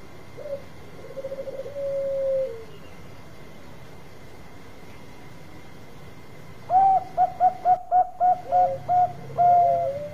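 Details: Bangkok-type zebra dove: first a soft trill and sustained coo, then after a silence a loud burst of about eight short clipped coos in a steady rhythm, with a brief lower held note near the end.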